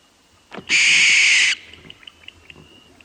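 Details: Night-time barn owl giving one loud, rasping scream of under a second, preceded by a faint click and followed by soft scattered ticks against a faint background tone.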